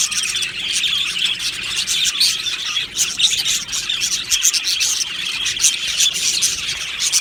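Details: Aviary flock of budgerigars chattering happily, an unbroken stream of high, rasping twitters and quick chirps from many birds, loudness rising and dipping slightly without any real gaps.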